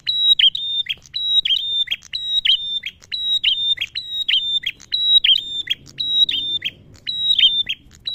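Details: Male prinia song meant as a lure to set birds singing: a continuous chain of high, even-pitched whistles, each clipped by a falling chip, repeated around once a second, with soft low noise midway.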